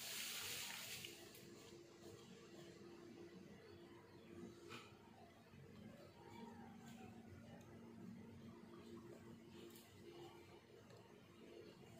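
Steady hiss with a brief loud rush at the start, faint clicks and a low indoor hum, without any animal voice.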